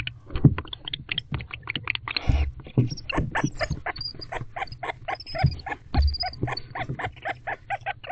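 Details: Bonded barn owls mating in a nest box on the evening of 21 October 2023, making unusual vocalizations: a rapid, dense chatter of clicking, twittering notes with a few squeaky whistles, fast and unbroken throughout.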